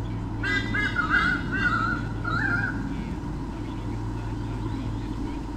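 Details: White-bellied sea eagles, a mated pair filmed by nest camera at Sydney Olympic Park, 2013, driving off swooping currawongs: a run of harsh, buzzy honking notes for about two seconds, one more honk, then only constant mechanical hum.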